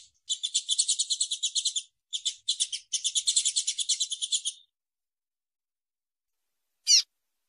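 Double-collared Seedeater female giving rapid, high, buzzy chip series, about ten notes a second in three bursts, then one sharp chip after a pause.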